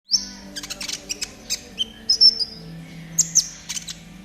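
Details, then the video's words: Konin in trotol style, used as a master recording to train caged birds to sing quickly: rapid high chirps and short thin whistles, some sliding downward, in irregular bursts over a faint low hum. "TERAPI KONIN TROTOL AGAR CEPAT BUNYI || MASTERAN KONIN TROTOL GACOR"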